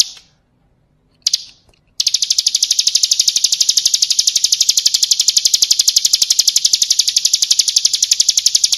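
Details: Bar-winged prinia, 'ciblek kristal' style, used as a tutor song for training birds: after two short bursts, a loud, steady, rapid trill of high, sharp chips runs unbroken for about seven seconds.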